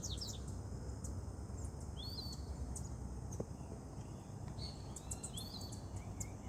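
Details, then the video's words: Wild birds singing on a morning amid greenery: scattered high, thin chirps and short whistled phrases, several rising and falling notes, over a steady low rumble and a faint insect hiss. "con el canto de los pájaros llenando el aire"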